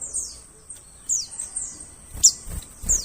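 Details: White-eye lure calls for trapping forest birds: rapid, high-pitched descending chirps tumbling over one another, with a few soft low thumps.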